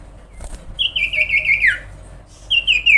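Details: Sooty-headed bulbul giving one drawn-out warbling trill that wavers and then slides downward, followed by a shorter fading trill, over light background hiss.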